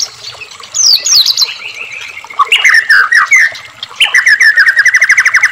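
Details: White-rumped shama in full vigorous song, used to provoke captive shamas into singing: sweeping high whistles, slurred phrases, then a fast run of repeated sharp notes near the end.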